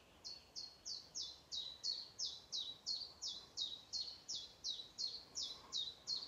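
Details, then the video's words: Morning birdsong: a faint, high, thin chirp repeated steadily about three times a second, each note sliding slightly downward, over a soft hiss of background noise. "아침 새소리"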